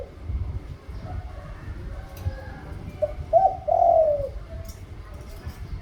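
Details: Spotted dove cooing once midway: a faint lead note, a quick double coo, then a prolonged gently falling coo, set against low rumble and a few light clicks.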